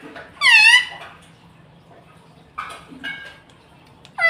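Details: Talking rose-ringed parakeet kept as a pet indoors, known for words like mummy, papa and mitthu: one strong wavering harmonic call, then two shorter bright notes after a pause, and a final clipped call.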